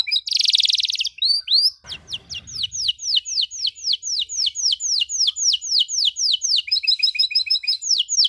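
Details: Canary song in the luxurious cengkok mewah style with long dor rolls, meant for young canaries to learn from: a dense buzzy burst opens, then a long run of down-slurred whistles about three per second, ending in a fast chattering trill.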